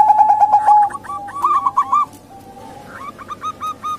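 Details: Local female zebra dove calling as a lure for quiet males or wild doves: a burst of fast hooked coos, a pause with softer notes, then another short run, over a continuous faint tone.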